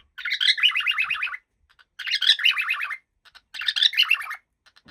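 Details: A happy pet cockatiel gives three long warbling phrases of rapid, wavering chirps, each about a second long and separated by pauses of about half a second.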